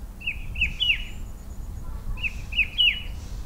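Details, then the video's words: Rufous-winged Himalayan shrike-babbler sitting in a bare pear tree in an orchard and botanical garden, calling cheerily: two bright three-note phrases of short, down-slurred whistles, each phrase ending on its strongest note, low background rumble. "Rufous-winged Himalayan Shrike Babbler has lovely cheery call announced with much attitude"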